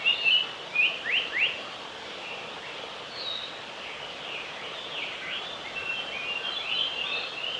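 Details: Male Japanese paradise flycatcher singing in Oiso, Kanagawa, Japan, on 22 May 2020: a quick run of sharp, upslurred notes, then fainter high chirps against a steady background hiss.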